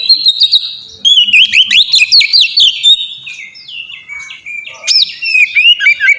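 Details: Kacer, the oriental magpie-robin, delivering ngeplong song to coax other birds into singing: a long run of wavering, whistled notes and quick trills, easing off briefly before sharp rising whistles.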